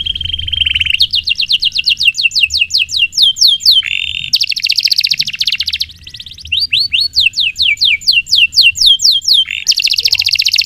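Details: Canary with long, continuous rolling song, used to tutor other songbirds: a flat tone, then runs of rising-and-falling whistled notes, alternating with dense buzzy trills.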